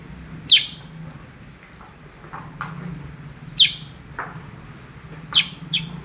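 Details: Percang bird singing vigorously: sharp high chirps at about four kilohertz, spaced a few seconds apart over a steady low hum and faint background noise.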